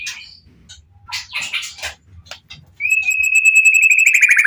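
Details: White-rumped shama singing to lure other shamas into answering: scattered clicks and scratchy notes, then a long, sustained, pure whistle that ends in a fast rippling trill.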